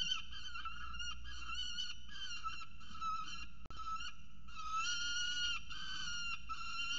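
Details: Young male peregrine falcon at a nest box on 22 December 2020 in the afternoon, screaming after seeing a parent fly by with prey, a starling. Loud, harsh, drawn-out wailing screams repeated back to back, some rising, over low background rumble.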